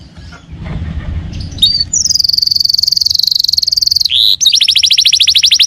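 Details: Canary singing as a lure to prompt another canary to reply: after a soft noisy start, a sustained high rolling trill, a brief slurred note, then another rapid pulsed trill with faint low background rumble.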